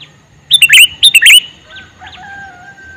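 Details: Calling male sooty-headed bulbul gives two quick bubbly three-note phrases in succession, followed by faint thin whistles from other birds in the distance.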